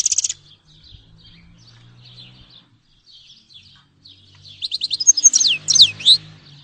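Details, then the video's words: Grey-headed goldfinch: short buzzy note, faint twittering, then a loud run of rapid chirps and slurred whistles; low background hum. "Щегол седоголовый (Carduelis caniceps)"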